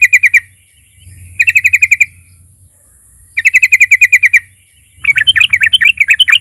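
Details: Sooty-headed bulbul singing to provoke other bulbuls: short rapid bursts of repeated chattering notes with pauses between, ending in a more varied, warbling run of rising and falling notes, over a constant high hiss.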